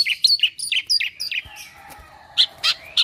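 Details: Asian pied starling, a caged mimic of other birds' voices, gives a rapid string of chirps and sharp whistled notes, a brief soft interval, then three loud chirps.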